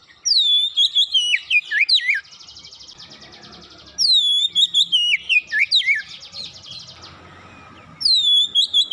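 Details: Oriental magpie-robin (kacer) singing fast 'gacor' song as a lure for a silent bird: loud whistled phrases that step down through rapid slurs, each followed by a long softer buzzy rattling trill, repeating roughly every four seconds.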